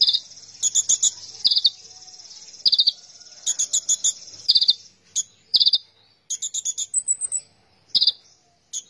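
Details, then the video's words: Van Hasselt's sunbird in full song as tutor material: repeated short bursts of very high, fast chattering trills and sharp chips, separated by brief pauses, over a steady thin high whine in the background. "konin gacor"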